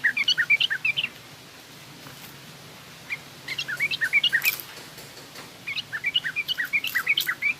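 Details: Yellow-vented bulbul performing 'trucukan garuda' then coarse 'ngriwik kasar' twittering, meant as a lesson for young bulbuls. Three runs of fast, jumpy high chirps with clicks and a silent gap after the first.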